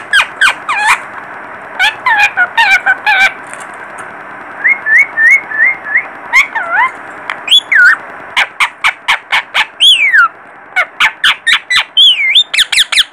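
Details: Baby parrot chattering with rapid clicks, looping whistles and quick repeated rising peeps, some notes sweeping high then falling, a continuous lively stream over thirteen seconds.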